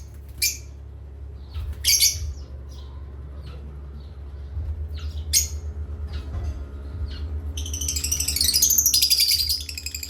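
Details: Parrots at playtime giving scattered sharp squawks, then a continuous high chattering burst near the end, over a constant low electrical hum.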